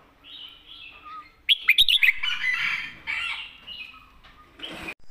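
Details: Red-whiskered bulbul, a caged contest bird, delivering a dense master song. It starts with quiet warbles, then a sudden string of loud, crisp notes, followed by sustained bubbling chatter and a final noisy burst.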